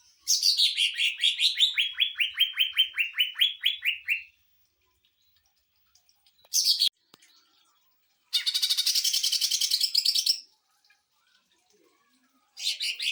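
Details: Greater green leafbird with 'tembakan mesin jahit' (sewing-machine burst) singing, used to train and provoke other birds: a run of quick falling notes, then short separate buzzy bursts broken by silences.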